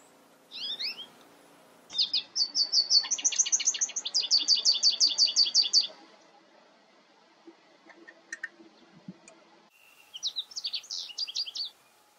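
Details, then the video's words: American goldfinch song in winter, from birds at sunflower-seed feeders: a bright, high, rapid string of twittering notes and sweet slurred phrases, with a pause before another burst of twitters. "Chardonneret jaune, chant/ American Goldfinch, song"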